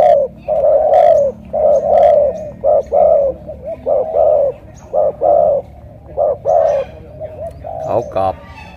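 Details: Spotted dove from Cà Mau, thổ cọp coo style with a heavy pigeon-like voice, having scored success this morning: a long run of low coos, long and short notes alternating, with some clatter near the end.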